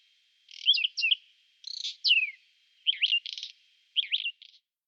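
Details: Whinchat heard singing in spring, April 2020, with a Nikon Coolpix P1000: four short phrases roughly a second apart, each a twisting whistle paired with a grating buzzy rattle, one phrase ending in a falling slur.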